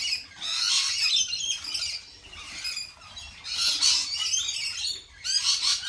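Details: Lorikeets at a feeding spot; a noisy flock gives harsh, screechy squawks in overlapping bursts, loudest around one and four seconds, with constant chattering between and a low background rumble.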